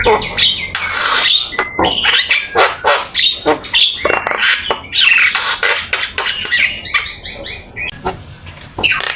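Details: Javan myna singing non-stop as a training master song, packed with varied inserted phrases: dense harsh rasping notes and chatters at an uneven quick rhythm, mixed with buzzy bursts and, near the end, a series of short rising whistles.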